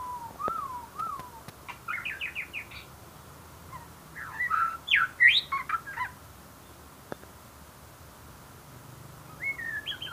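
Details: White-rumped shama singing: two clear downslurred whistles, then a rapid run of bright rising notes, a pause, a burst of varied sharp whistles and chips, and a final rising whistle after a quiet gap.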